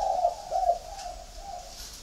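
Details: Captive spotted dove in a flock at a bird garden in Ba Vì district, Hanoi, Vietnam, giving quick low coos in the first second that fade into a soft trailing note.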